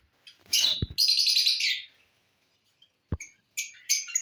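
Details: Lovebirds eating corn on the cob, recorded 18 December 2022, giving high, thin chattering chirps in two long bursts, then shorter clipped tweets after a quiet pause, with a couple of soft knocks.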